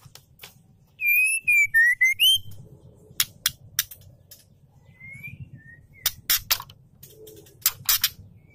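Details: Lure call of a female Oriental magpie-robin summoning a male; opens with a loud, clear whistled phrase that falls then climbs, followed by many crisp ticking clicks and a soft whistle.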